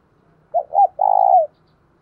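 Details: Decoy spotted dove, 'thổ đồng' voice style, cooing to lure other doves. A single phrase: a pair of quick hooked notes, then a prolonged, steady low coo that slides down at the end, with a faint low background murmur.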